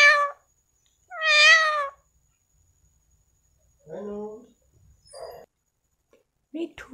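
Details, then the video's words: Female talking parrot voicing two loud, harsh, harmonic bursts, the second longer and slightly rising, followed by softer lower voice-like sounds and short quiet notes near the end. "Parrot Talking a Bindass Video ভাটৌজনীৰ ইমান সুন্দৰ মাত শুনি হেপা নপলাই"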